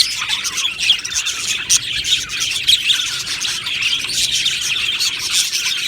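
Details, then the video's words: A colony of budgerigars kept in an aviary, called happy: crowded twittering and chirping from many birds, with a few louder squeaky notes rising above the constant chatter. "Budgie Sounds for lonely Budgies | Happy Budgies Birds Sounds"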